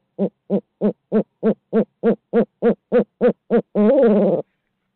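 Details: Barred owl of Midtown Tulsa captured on a live camera: twelve quick, regular hoots at about three per second, finishing with a longer, quavering note that rises and falls.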